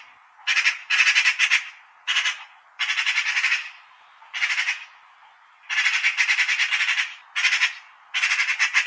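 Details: A Eurasian magpie, presented as a wintering bird, gives harsh rattling chatter in rapid bursts of half a second to a second with short pauses between them.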